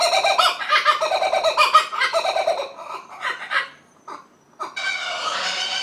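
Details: Lone kookaburra at Tuggerah Lakes, Australia; loud cackling laugh phrases that fade into a few short chuckles and brief silence, then another harsh laughing burst.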